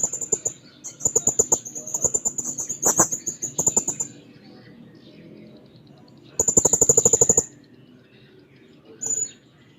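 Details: Blue-crowned hanging parrot in full voice, seeking a rival: very high, thin, sharp piercing notes in rapid bursts, with a fast run of clicking pulses around three seconds and another dense burst later, separated by quiet gaps.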